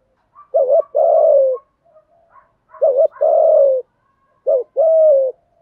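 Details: Cooing of spotted doves, cock and hen, played so trainee birds start calling. Three two-part phrases: a quick wavering note, then a drawn-out soft coo sliding slightly lower. Faint higher notes appear between phrases.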